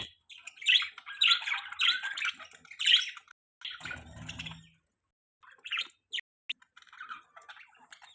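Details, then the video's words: Pet budgies chirping: busy, high warbling chatter in rapid bursts for about four seconds, a brief low rustle, then scattered sharp single chirps and softer twittering. "Beautiful Budgies Parrots Chirping Sounds"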